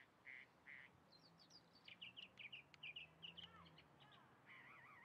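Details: Varied mockingbird song: buzzy bursts, then a rapid series of short clipped notes, rising and falling slurs, and a wavering warbled phrase at the end. Soft low hum underneath.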